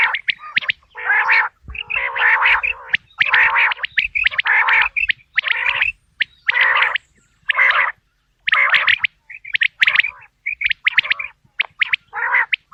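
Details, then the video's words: Quail calling, a natural recording for hunters: a long sequence of coarse, croaking bursts roughly every second, each edged with sharp snapping notes, gaps widening toward the end. "بٹیر کی آواز"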